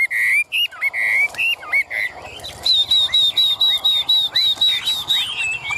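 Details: Chinese hwamei, a tame yellow-billed, yellow-legged cage bird displaying with fanned tail and raised wings, whistles looping notes, then a rapid, evenly spaced run of thin high notes about five per second.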